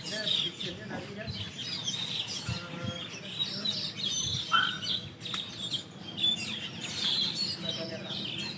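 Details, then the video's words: Asian glossy starlings at dawn in the dense-leaved tree where they roost in a big flock, producing a continuous mix of high chirps, thin whistles and a few harsher squeaky notes against faint background hum. "SUARA BURUNG PERLING ATAU CUCAK HITAM MATA MERAH"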